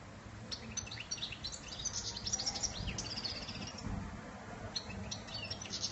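A European goldfinch sings a quick, high, tinkling twitter of short bright notes in bursts, over a steady low background rumble.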